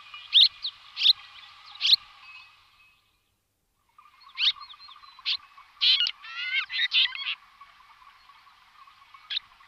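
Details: Red-rumped swallow calls used as a lure: short sharp chirps spaced about a second apart, then a brief pause and a busier run of twittering notes and quick rising trills, over a steady low hum.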